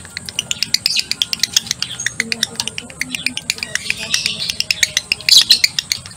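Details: Male lovebird in breeding condition, given the long ngekek chatter: fast, dry, clicking pulses in an uneven run, with a steady high hiss and a low hum behind.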